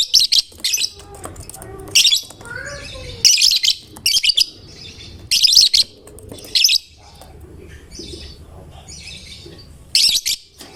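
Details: Singing caged lovebird whose song is said to set any other lovebird singing; rapid grating high chirps come in clustered bursts, then a quieter stretch of softer twitter before a final loud burst, with faint hum below.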